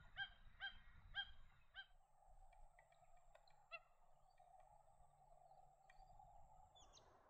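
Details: Magpie geese giving loud, nasal honks, about four in quick succession, then scattered softer calls over a steady low hum, at Lake Apex, Gatton, Lockyer Valley, Australia, where large flocks gather on the lake and nearby fields.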